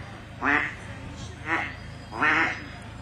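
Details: Mallards, loads of them coming down the main channel of a tidal estuary at daybreak, give three loud, harsh, nasal quacks about a second apart. Tide gurgles in, widgeon call, low hum.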